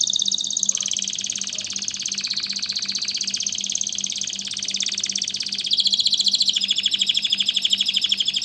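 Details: Canary singing continuous fast rolling trills, dense and buzzy, changing tour every few seconds and growing louder near the end with a quicker pulsed roll; low steady hum in the background.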